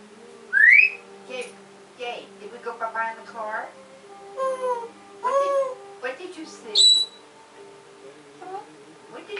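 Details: African grey parrot producing a varied run of speech-like harmonic sounds broken by sharp rising whistles, one near the start and a high flat whistle toward the end, in a quiet indoor setting.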